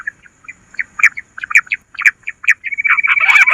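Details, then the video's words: Bush quail calling as a lure. Quick chirps come roughly twice a second, then a steady, high trill rises in loudness near the end. "Bater ki awaaz madi gundari quilling sound bush Quil sound"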